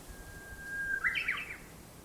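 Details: Birds gathered in a large black locust tree beside a house in town, singing from around sunrise, heard through a room window: a long thin steady whistle, then a brief tumbling burst of higher twittering notes.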